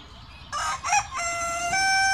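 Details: Rooster crowing from Southwest Asia: a short harsh burst of broken syllables, then a long steady drawn-out note held to the end.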